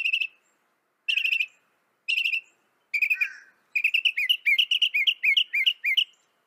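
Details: Northern mockingbird song from North America: a clear trilled phrase repeated three times about a second apart, then a faster, busier string of varied chirping notes.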